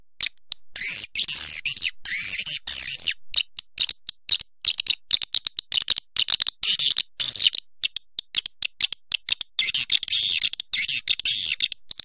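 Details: Swiftlet sound made of continuous high twittering chirps, buzzy and rapid, broken by short irregular pauses over about twelve seconds.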